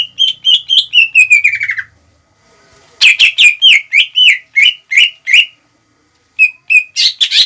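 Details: Greater green leafbird singing to provoke rivals; a quick falling run of whistled notes, a pause, then loud sharp chirps and a final few high squeaky notes.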